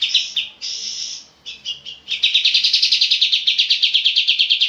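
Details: Oriental white-eye song for training cage birds, long and clear-voiced: a few high buzzy phrases with short gaps, then a steady fast series of bright repeated chirps to the end.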